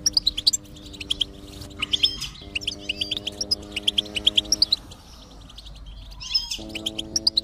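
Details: Goldfinch song used as stimulation to encourage a silent goldfinch to sing: rapid bursts of high, thin chirps and twittering notes, with short pauses between phrases, over a steady low humming musical drone.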